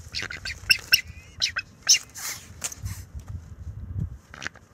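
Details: A bald eagle pair defends its nest against an owl, the male using calls and wing flaps as a warning, March 2024 nest camera; sharp high piping notes mixed with broad rushing thumps.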